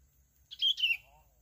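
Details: Bulbul in Bình Thuận, Vietnam, contesting a territory and roosting spot, gives one short, bright warbled phrase: a quick rising note, then a slurred whistle sliding downward, over quiet background.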